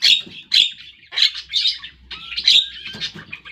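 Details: A Javan myna learning to sing gives harsh, squawky chatter in quick bursts about every half second, mixed with a thin rising whistle.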